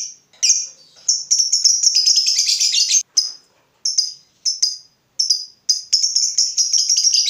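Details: Fighter lovebird, provoked and agitated at the sight of a rival, calling harshly: sharp, high shrill chirps in short bursts, then a dense rapid chattering run from about one to three seconds, then more spaced shrieks and another chattering stretch.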